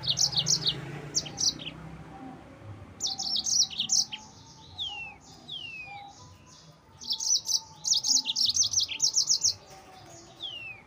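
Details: Yellow-fronted canary singing energetically to provoke rival birds, long runs of rapid high chirps and buzzy notes mixed with short downward whistled slurs, nearly continuous across the clip.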